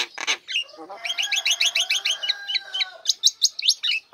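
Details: Female Nias hill myna singing right after its cage cover is lifted, kept as a lure for lazy birds: a harsh burst, then a rapid run of clear upswept whistles repeated about five times a second, ending in sharp high notes.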